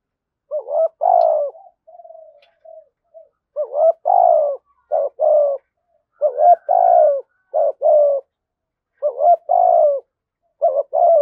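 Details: Spotted dove with the 'thổ sấm' voice style, a well-structured song with a fine voice. Low, mellow cooing phrases come in short groups of two or three notes separated by brief pauses, with a softer, quieter stretch early on and a quiet background.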